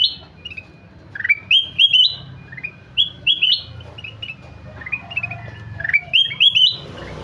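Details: Golden-fronted leafbird in busy, varied song: clusters of loud, high whistled slurs and chirps in quick succession, pausing briefly between bursts.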